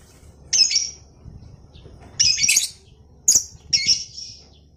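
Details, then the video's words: Lovebird calling in a recording meant to provoke other lovebirds into the long ngekek trill. Four loud, grating squawks come at uneven intervals against a quiet, low hum. "SUARA MANCING BURUNG LOVEBIRD NGEKEK PANJANG,MELATIH BURUNG LOVEBIRD NGEKEK PANJANG"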